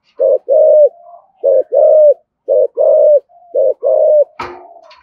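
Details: Spotted dove cooing in the 'thổ thúc gù' style, used to provoke wild doves: low, hollow two-part phrases, a short coo then a longer rounded one, four times in about five seconds, then a sharp click.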